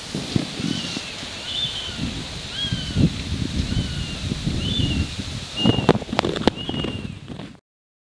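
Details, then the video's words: Juvenile Northern goshawks trying to catch up with their parent in Oyama city, Tochigi, Japan: a run of thin, high, arched whining calls repeated roughly once a second, over steady rustling, with a few sharp knocks near the end. "Northern goshawk juveniles trying to catch up with their parent (Accipiter gentilis)"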